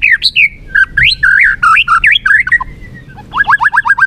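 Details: White-rumped shama (murai batu) singing as a lure recording: varied loud whistled phrases sliding up and down, then a fast run of about eight sharp rising notes at the end.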